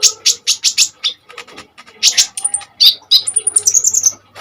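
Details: ['Kolibri ninja sunbird in vigorous song for luring and training other birds: a rhythmic series of buzzy high notes, then chips and thin very high whistled trills.']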